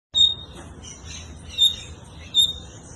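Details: Double-collared seedeater, a Brazilian tournament-singing bird, giving three short, sharp, high whistled notes spaced about a second apart over quiet background hiss.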